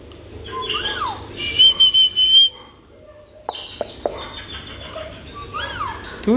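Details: Pet Alexandrine parakeet whistling: falling and rising slurred notes, then a long steady high whistle broken into pulses, clicks, and another swooping whistle at the end.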